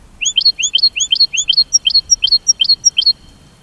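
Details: Goldfinch singing: a steady run of sharp, upslurred whistled notes, about three per second with a steady rhythm, the later notes rising higher and brighter. No other sounds stand out.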